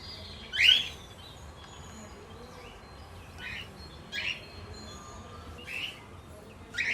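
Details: Lutino cockatiel among budgies and lovebirds, producing scattered short rising chirps, the first loud and bright, the rest softer and spaced by a second or more, against a quiet background.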